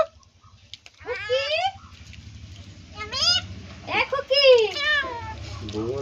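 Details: A pet common myna imitates human speech in Bengali in short, nasal, wavering phrases, bending its pitch up and down over a low background hum, while its owner praises its talking.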